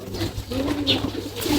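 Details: Jalali pigeons (rock pigeon) on a Bangladeshi farm while being fed paddy and mustard: a soft, low, droning coo swells through the middle of the short clip, with a faint higher chirp and light room echo behind it.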